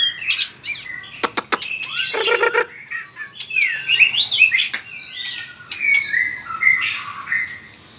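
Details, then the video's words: Shama, the white-rumped species, singing vigorously with tail-flicking: sharp clicks and a harsh buzzy burst lead into varied fluty whistled phrases rising and falling in pitch. "chòe lửa hót đập đuôi cực mạnh"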